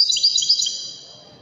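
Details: Wedani-type European goldfinch from Morocco singing a brief burst of bright, high, tinkling twitter that fades out.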